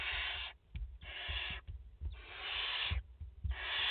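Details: Barn owls in France, a mother and four chicks at the nest, August 2021: near-continuous rasping hisses with brief breaks, accompanied by frequent low thuds and shuffling movement.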